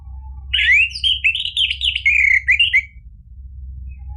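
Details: Continuous rich warbling from an orange-headed thrush, with slurred rising and falling whistles and trills for over two seconds, used to spur a bird into answering song; low steady hum underneath.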